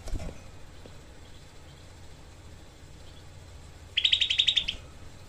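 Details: Tutor recording for training songbirds: a Grey-cheeked bulbul, known as cucak kelabu, fires one short, dense 'tembakan' trill of rapid harsh notes lasting under a second after a long quiet stretch.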